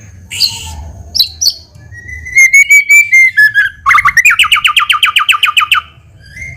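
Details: White-rumped shama lure song to make birds answer fast: a long sliding whistle, then a rapid rattling series of about twenty clipped notes, ending with a soft, brief whistle.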